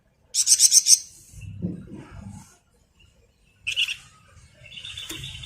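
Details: Malaysian pied fantail, vigorous ngebren-style singer used to train songbirds: an opening rapid burst of five high sharp notes, then quieter scattered chips and a thin whistled tone, with low murmuring noise.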